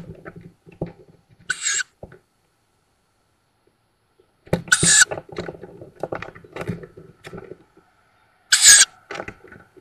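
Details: Newly fledged Tawny owls at a forest nest outside Szokolya, Hungary, May 2022, nest-camera recording: three rough hissing calls spread over ten seconds, interspersed with steady scratching and shuffling.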